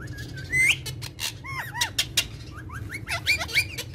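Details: Playful pet parrots on a charpai give a sharp rising whistle followed by scattered, arched chirps and short downward whistles, interspersed with clicks and light tapping over low background hum.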